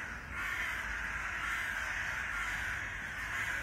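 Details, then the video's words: Eurasian magpies (Pica pica) fighting give a harsh, continuous rasping chatter, noisy and dense throughout, with no clear breaks between calls. "The Eurasian magpie (Pica pica) fight"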